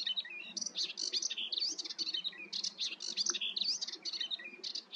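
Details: Melodious warbler in song, pouring out a continuous, lively babble of quick chirps, rising whistles and harsher buzzy notes in irregular sequence over soft low background noise.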